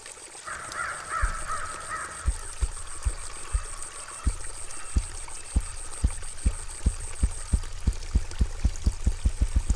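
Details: A ruffed grouse drums, a display done mostly just before and after dawn: deep, muffled thumps that start slowly and speed up into a quickening roll. A harsh, crow-like call sounds near the start over a steady high hiss.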